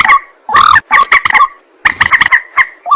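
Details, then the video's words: White-breasted waterhen calling at night: harsh croaking grunts and loud honking bursts in quick irregular runs, with short pauses between. "ruak ruak mandar batu mp3 2 suara burung malam hari"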